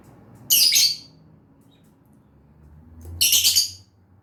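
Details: Two harsh, squawky high chirps from a lovebird, separated by about two and a half seconds, with a low rumbling hum beneath.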